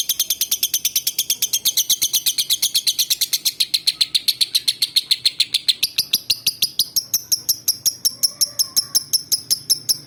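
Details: Lovebird from Palembang, used as a singing lure for other male and female lovebirds. A dense rattle of piercing high chirps runs steadily, then switches to a thinner, shriller trill for the last seconds.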